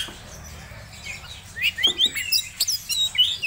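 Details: An Oriental magpie-robin of the Medan type, in breeding condition, sings quick, varied bursts of sweet, high whistles and chirps, several each second, after a quiet start.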